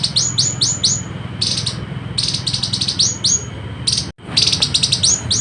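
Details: Citrine canary-flycatcher, West Sulawesi, sung as training material for competition birds: loud bursts of very high, sharply descending chirps, often in fast groups of three to five, with brief pauses between bursts and a low hum beneath.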